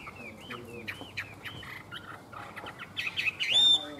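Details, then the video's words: Caged Chinese hwamei kept by a Vietnamese bird seller, heard in short whistled upslurred phrases repeated about every third of a second, then a louder burst of rapid ringing notes near the end; faint background noise throughout. "Họa mi đẹp hót hay"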